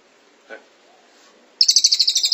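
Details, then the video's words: Cililin (Velvet-fronted Nuthatch) song in the tight 'tembakan rapat' style, kept as a master recording: after near silence and one soft low sound, a loud burst of high, rapid, evenly spaced chips begins abruptly. "Masteran Cililin Tembakan Rapat Durasi Panjang"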